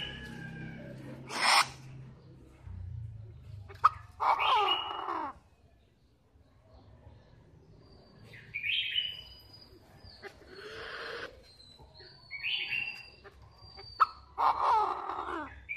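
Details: Black francolin (kala teetar) calling: harsh, raspy broadband bursts come roughly every five seconds, with thinner whistled, slurred notes at a higher pitch in between and a low background hum.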